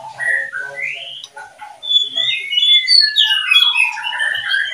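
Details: Oriental magpie-robin, one of a breeding pair kept by the owner, whose first pair is incubating; loud, varied, whistled phrases with rising and falling sweeps and rapid twittering notes, tumbling on without a pause.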